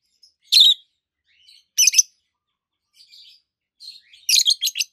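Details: Peach-faced lovebirds, a pair of healthy adults, green with red and yellowish white faces, giving loud shrill chirps: single harsh notes, then a quick run of four rasping chirps, with faint quiet twitters between.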